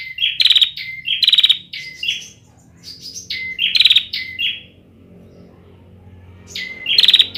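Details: Immature bar-winged prinia, 2021, with undeveloped song: clusters of loud buzzy rattles and short flat whistles, a quieter stretch with low background hum, then one final phrase.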